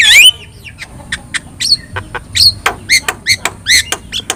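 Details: Yellow-eyed Javan myna (jalak kebo) singing for Indonesian bird training; opens with a loud rising squeal, then spaced harsh squawks and clicks, about two each second, fairly quiet.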